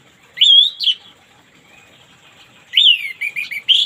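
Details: Orange-headed thrush singing in the morning, therapy for birds that won't sing: a clear slurred whistle and a higher note, a pause, then a longer phrase of falling and warbling notes with a final upswept note.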